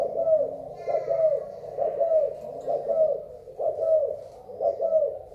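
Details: Spotted dove, Thai type, recorded 24 February 2019, giving repeated soft gurgling coos roughly once a second, some notes doubled, against a quiet background hum.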